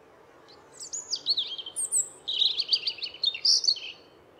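A European Robin sings a fast, liquid phrase of high, thin whistles and tumbling trills, rising and falling in pitch, with a faint low hum behind.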